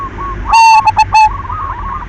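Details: Single loud phrase from a silver zebra dove lure recording: a sustained coo followed by quick stuttered notes and a final held tone, with soft background trills from other doves.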